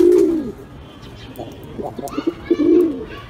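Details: Pigeon coo recorded up close: a strong low rising-and-falling coo opens, followed by quieter clipped notes and another full coo toward the end.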